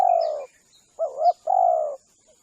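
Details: Spotted dove lure call used by hunters to attract doves: low, mellow coos, a long falling coo, then a short double-humped coo and another long steady coo, with a faint thin high tone running in the background.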